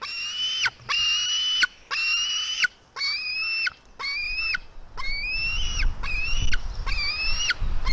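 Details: A female white-tailed eagle eaglet and her brother fighting at 16:09: shrill, steady, whistled screams about a second long in a rapid series, later notes shorter and wavering, over a rising low rumble of wind or handling noise.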